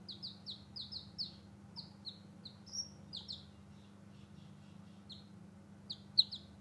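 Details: Baby chicks just hatched, playing outside: scattered high descending cheeps, some in rapid strings, with quiet gaps and one louder sharp peep near the end; low hum persists.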